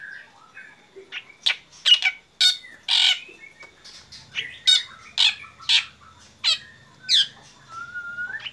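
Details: Black drongo in lively morning song: rapid harsh squawking bursts about twice a second, mixed with high chips and ending on a smooth rising whistle, over a low background hum.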